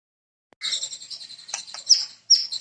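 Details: White-rumped shama (murai) singing: a short burst of high, rapid chattering and buzzy notes around a steady band, ending in a sharp whistled flick after a brief pause.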